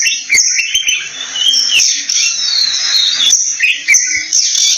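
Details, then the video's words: Oriental magpie-robin giving a run of sweet, warbling whistles and quick slurred notes, some sliding upward, over a constant high-pitched buzzing background that may be insects. "Orintel Magpie Bird Sound"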